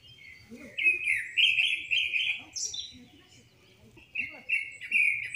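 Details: Wild mountain bird recorded on 10 June 2024: clear whistled notes near one pitch, each drawn out and slightly wavering, given in short runs, with soft low chirps from other birds underneath.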